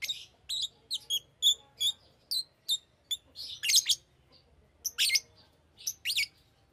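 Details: Fischer's lovebird, a pet, gives a string of short high whistled chirps roughly twice a second, then louder harsh screeching squawks.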